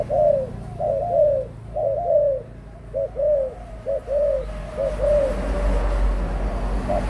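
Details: Adult spotted dove, 18 months old, cooing: paired soft notes, a short hoot then a longer down-slurred coo, repeated about once a second, fading toward the end over low background rumble.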